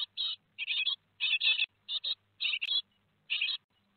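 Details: Great tit nestlings in a nest box at Théding, France, on 15 July, two days before fledging, give harsh, hissy chirping bursts, about six over four seconds, each a rapid cluster of high, scratchy notes with short silences between.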